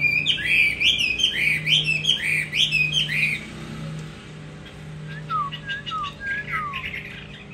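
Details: Tamed fighting hwamei kept in a cage, singing loud, rapid, rising and falling whistled phrases for about three seconds, then quieter scattered downslurred whistles, over a constant low mechanical hum.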